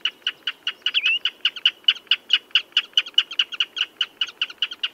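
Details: Fast chain of brief, piping common redshank notes with one rising slurred whistle near the start, the pulses coming about four per second over quiet background hiss.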